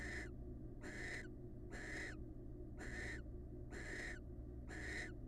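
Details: Wild barn owls in a pair bond. Six evenly paced raspy hissing screeches, roughly one per second, each breathy and noisy with a slight downturn at the end, over a low drone.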